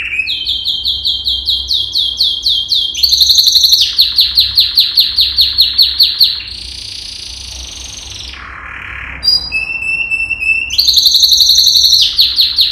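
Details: Singing yellow canary, a male Serinus canaria, giving song meant to train canaries: loud rolling trills of repeated high chirps, a long sustained buzzy note, a lower harsh burst, brief pause, then rapid trills resume.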